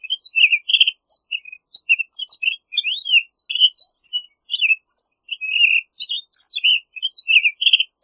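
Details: Townsend's solitaire in sustained rambling song: eight seconds of near-continuous, varied, slurred whistles and warbled notes, rising and falling in quick succession with only tiny gaps, on a clean background.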